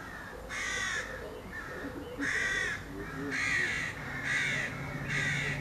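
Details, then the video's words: A crow, recorded in May 2022, gives five harsh, rasping caws, each about half a second long, spaced one to two seconds apart, over a low background rumble. "Crow Sounds"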